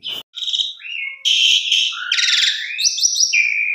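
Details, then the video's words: Jalak suren, the Asian pied starling, singing actively with a varied 'isian mewah' repertoire meant to stir stalled birds: a sharp click, squeaky whistles, a loud harsh burst, trilled phrases and three quick high whistled notes. "Pancingan Jalak Suren Gacor Isian Mewah Cocok Buat Jalak Suren Macet Biar Gacor"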